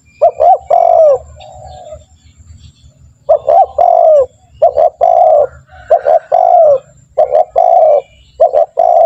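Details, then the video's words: Spotted dove lure call used for training birds to call quickly. Repeated cooing phrases of two clipped notes then a drawn-out, slightly falling coo, about six groups with a pause early on. A faint low hum sits underneath. "Pancingan burung tekukur gacor, melatih burung tekukur agar cepat bunyi"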